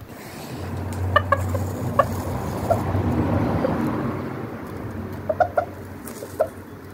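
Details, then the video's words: Chickens and roosters going about daily life in a garden: scattered short clucks, several in quick bursts around the first and fifth seconds, over a steady low rumble of traffic. "The conversation of chickens and roosters"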